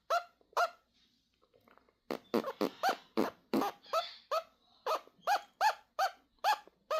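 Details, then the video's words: Non-verbal pet peach-fronted conure copying noises made by its owner. A few separate nasal squawks lead into a long, fairly steady run of about a dozen harsh, honking calls repeated a few per second. "Quasi making silly noises"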